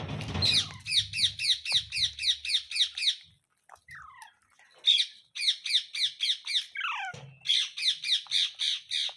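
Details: A pet green parrot, possibly a ringneck, squawks harshly and rapidly at about four per second, broken by a few short rising whistles, with faint low rumbling at the start.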